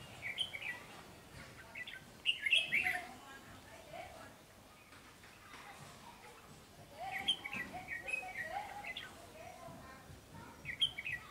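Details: Wild-caught red-whiskered bulbul kept caged, singing eagerly and fast: short bursts of bright, warbled notes around the same pitch band, separated by pauses of several seconds, with low background hiss.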